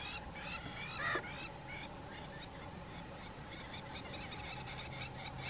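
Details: A nesting pair of crowned lapwings mobbing and chasing a pied crow near their nest give harsh, ringing alarm notes in quick irregular bursts over a steady high hum and background noise.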